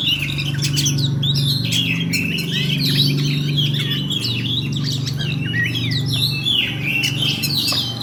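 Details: Oriental magpie-robin in fighting mode, singing continuously in a rolling style: a dense, unbroken stream of varied chirps, slurred whistles and harsh notes. A loud low hum runs throughout.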